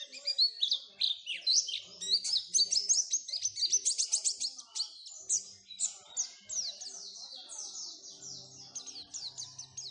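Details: Oriental white-eye song played as a lure to get caged birds singing: a dense, rapid stream of high, thin twittering notes, many sliding downward, in tight overlapping phrases without pause.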